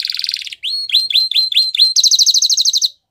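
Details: Canary singing in the wild, meant for training young birds: a rapid high rattle, then six separate upswept whistles, then a fast even roll of clipped notes lasting about a second.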